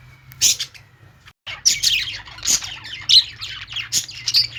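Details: Pet-store budgies with lovebirds: sharp, high chirps and short squawks in separate bursts, about fifty a minute, with a brief silent gap early on.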